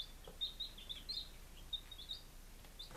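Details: Five-day-old baby chickens, Lunenburg, Massachusetts, recorded 23 July 2017: a loose series of soft, high cheeps, brief and upslurred, spaced irregularly over quiet room noise.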